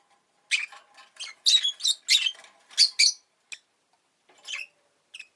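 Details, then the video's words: Pet rosy-faced lovebird chatters in a quick run of about eight harsh, high chirps over two and a half seconds, then a few scattered softer calls trailing off. "Lovebird Chirping Sounds"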